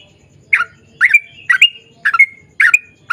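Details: Sooty-headed bulbul song played to provoke other birds to sing; five throaty, bubbling phrases with drawn-out whistled endings, about one every half second over faint low background hum.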